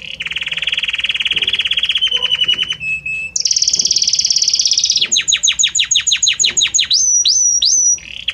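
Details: Belgian canary in varied song: a long rolling trill, a short low note, a high buzzy stretch, then a run of rapid descending whistles and a few rising slurred notes, each phrase blending into the next.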